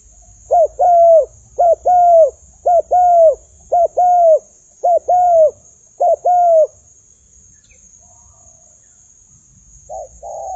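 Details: Spotted dove used as a decoy, fighting with wild birds: a run of six low, mellow two-part coos, each a short note then a longer bowed one, about one per second, then a pause and a final coo, over a steady high hiss.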